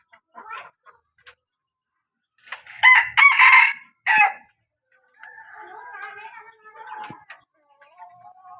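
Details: Hen from a strong-calling line giving a short burst of loud, harsh calls after a few soft clucks, followed by quieter wavering calls in the background.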